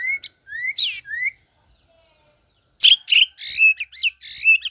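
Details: White-rumped shama singing: slurred rising whistles, then after a short gap a burst of harsh, high chattering notes mixed with whistles.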